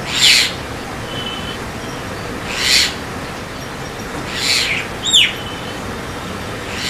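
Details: White-vented myna uttering coarse, breathy squawks about every two seconds, one followed by a clear, steeply falling whistle, with constant broadband hiss throughout.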